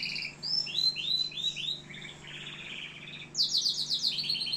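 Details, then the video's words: Algerian canary song with varied phrases: repeated upslurred whistles, a lower churring roll, then a fast bright trill of sharp high notes, over a faint steady low hum. "كناري صوة جميل"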